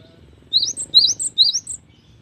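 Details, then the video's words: Three crisp, high, two-part chirping notes, evenly spaced about half a second apart, from a Cinereous tit singing with plenty of variation over a soft low background. "GELATIK BATU GACOR || the melodious sound of stone sparrows"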